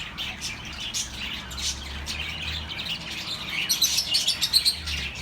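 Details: Chirping pet birds, meant to ease lonely birds: soft overlapping chatter, then a rapid run of sharp high chirps repeated several times a second toward the end.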